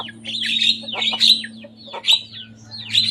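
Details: Young Javan myna in full song, mimicking rival birds: four loud, rasping, squawk-like phrases about a second apart, each a short harsh burst with a sharp upward flick.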